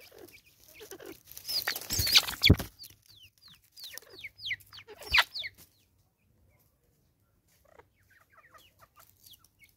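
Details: Angry female Natal spurfowl, South Africa 2024, letting out loud harsh raucous bursts in the first half, mixed with rapid high downslurred chirps of small birds, then near quiet with faint chirping.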